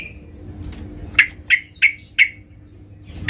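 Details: Female sooty-headed bulbul calling the male: four short, bright chirps about a third of a second apart after a faint opening note, with a quiet steady hum beneath.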